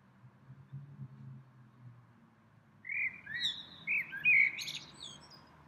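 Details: In spring, a small bird that visits the same tree several times daily sings a quick, varied string of high chirps and twittering notes after a few seconds of quiet, with low background rumble.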